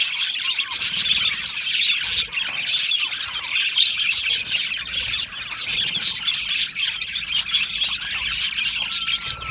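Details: Many Australian budgies in an aviary keep up a busy, high-pitched chirping chorus, with scattered squawky notes and one longer level whistle near the end.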